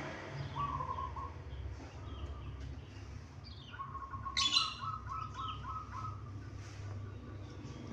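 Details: Local Indonesian zebra dove giving short trilled cooing phrases, first one alone, then a longer rolling run of beaded notes, with a brief sharp chirp from another bird and a steady low hum.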